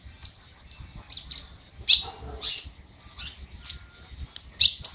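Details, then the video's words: A monjita just starting to sing, warming up before a full song bout, gives scattered high, thin chirps and short twittered notes, with two sharper loud chips standing out, in a quiet setting. "monjita empezando a cantar"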